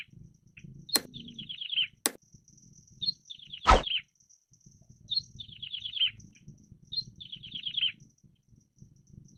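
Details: Active wild plain prinia delivering repeated descending buzzy trills, each about a second long, interrupted by several sharp clicks and one loud thump.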